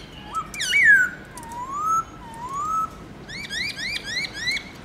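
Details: Black-throated laughingthrush in morning 'forest voice' song with many notes: slurred rising and falling whistles, two long gliding whistles, then a fast run of repeated upswept chirps.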